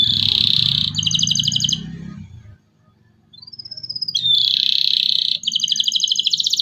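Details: Local canary song used as a lure for young canaries: buzzy rolls and bright trills, a thin rising whistle in a brief gap, over a low rumbling background.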